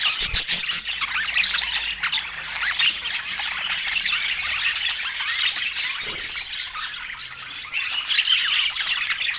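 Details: Budgerigars kept as pets keep up a busy, unbroken chorus of squeaky chirps and harsh little squawks from many birds at once, with a few low thumps near the start.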